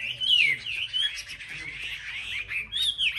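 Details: Chinese hwamei, caged and singing competitively among selected birds on a market rack: long drawn whistled slurs and softer warbling, with low human voices in the background.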